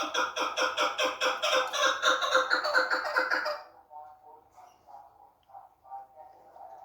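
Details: Female chukar partridge, kept for hunting, calling: a fast run of loud, harsh, harmonic notes, about four per second and rising slightly in pitch, that breaks off into softer, fainter clucking notes.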